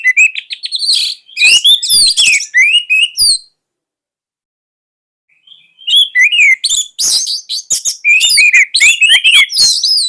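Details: Fierce song of an orange-headed thrush, used as a master for young spotted birds and to coax quiet thrushes into singing. Dense bursts of twittering, rising and falling whistles, broken by a two-second silence, then a fast, jumbled outpouring of notes.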